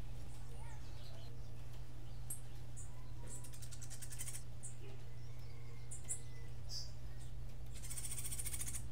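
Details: Martillito-style singing from a Cuban grassquit: a series of short high chips and brief buzzy notes builds to a longer, loud, harsh pulsed buzz at the end, over a constant low electrical hum.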